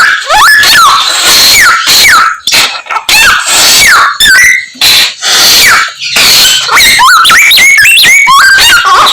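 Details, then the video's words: Samyong bird singing a medley of other birds' calls: repeated swooping whistles that rise then drop, interleaved with chirps and rough trills, phrases coming roughly twice a second. "Samyong Gacor full isian Burung Sak Kebon Dadi siji"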